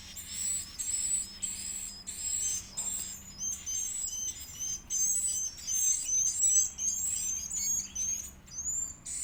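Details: Edible-nest swiftlet nestling calling for food as it is fed, a long run of piercing, squeaky high notes in uneven bursts with short silent breaks between them.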